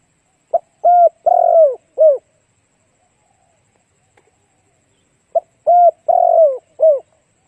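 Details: Decoy song of a spotted dove, meant to attract doves: two four-note phrases of mellow low coos. A clipped opening note, a steady coo, a drawn-out burry falling coo, then a short downslurred coo, separated by a pause of about three seconds.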